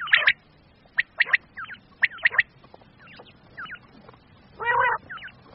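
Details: Quail hunting calls of the common quail, male and female, Pakistan: clipped high notes in twos and threes about once a second, soft curved whistles between, one rasping burst near the end.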